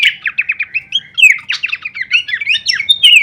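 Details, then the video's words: Varied kleperan song of a Horsfield's babbler, prepared as masteran for training songbirds: fast runs of short chirps and slurred whistled notes packed together without pause, bright and high throughout. "masteran andalan khas burung pelanduk semak suara full variasi kleperan"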